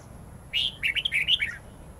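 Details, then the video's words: Red-whiskered bulbul singing a wild-style (giọng rừng) song with long twisting notes, used to tutor young birds: one rich phrase opening on a strong whistled note, then quick warbled syllables that slide lower, over faint low hum. "Chào mào hót giọng rừng âm dài xoắn cực hay/Dùng luyện chào mào non,má trắng học giọng rừng"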